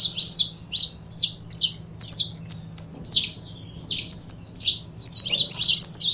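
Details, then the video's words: A pair of saffron finches (canário-da-terra), offered as sound for foguear, sing in rapid bright chirps and short slurred notes, high-pitched and packed in quick bursts, phrases repeating about every half second over a faint low hum. "Casal de Canário da Terra Bom Para Foguear!!!"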